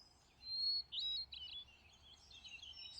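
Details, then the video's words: Thrush singing a run of high looping whistles and warbled notes over a steady low hum. "A Symphony of Thrushes"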